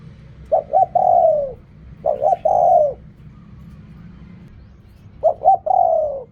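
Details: Spotted dove with khu kham coos. Three low phrases, each two short notes and then a long, smooth coo that drops slightly at the end. Quiet low hum between them.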